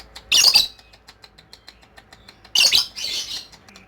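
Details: Ngekek from a lovebird: a loud rasping squawk, a run of faint ticking clicks, then two more harsh, grating bursts close together.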